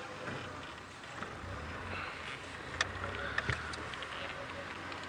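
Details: Rumbling wind and vehicle noise at sunrise, with a few sharp handling clicks and no animal calls.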